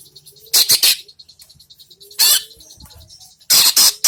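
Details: Greater green leafbird vocalising after its moult: loud, harsh, broadband bursts in three clusters, each of two or three rapid notes, with quiet gaps between and faint steady high tones in the background.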